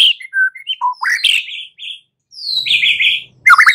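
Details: White-rumped shama song used for training birds to fight: varied whistled notes, some rising, some falling, with buzzy sweeping phrases and a short pause before a final burst.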